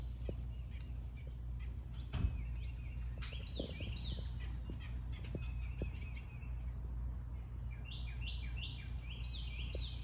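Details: Several birds in trees sing after the rain: faint, high chirps and short descending whistled phrases, busier toward the end, over a steady low rumble of background noise.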